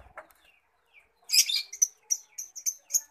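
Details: A few soft notes from a long-tailed shrike, the mimic called pentet, then a loud harsh burst followed by sharp, piercing notes repeated about every quarter second.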